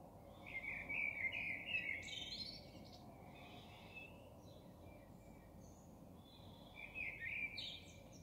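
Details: Common blackbird at 03:40 delivering a loud warbled phrase ending in squeaky high twitters, followed by quieter soft notes and a second fluting phrase near the end; gentle background hiss throughout.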